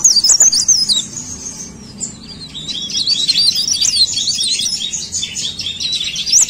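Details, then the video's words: Cikrak daun, a leaf warbler, in lively full song: a fast jumble of high, sharply zigzagging notes, a brief pause near two seconds, then a dense rapid run of squeaky trills to the end. "CIKRAK DAUN GACOR"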